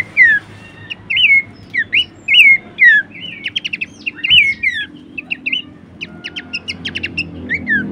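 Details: Horsfield's babbler song meant for training songbirds: a run of looping downslurred whistles, then rapid clusters of short ticking notes and buzzy stacks, continuing steadily for eight seconds.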